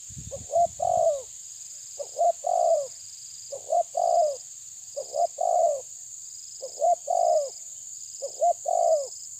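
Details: Spotted dove answering a rival with regular phrases every one and a half seconds: two short coos and a longer downslurred coo, over a constant high drone and a faint pulsing tone.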